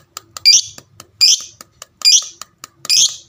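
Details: Fighter-type lovebird calling to make other lovebirds respond: four loud, buzzy, high squawks spaced under a second apart, with small clicks between them.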